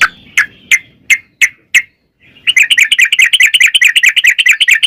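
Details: Trucukan, the yellow-vented bulbul, in a song used as a lure for kept birds: six spaced sharp chirps about a third of a second apart, a short gap, then a fast continuous bubbling chatter.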